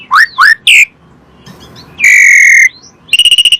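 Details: Asian pied starling song used as a lure for other birds: rising whistled slurs, a long steady buzzy whistle, then a quick rattling trill.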